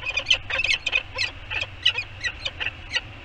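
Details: Peregrine falcon couple chatting around the nest bowl on Anacapa Island, California, January 7, 2021: quick uneven run of sharp clipped chup notes, some doubled, over a constant low background rumble.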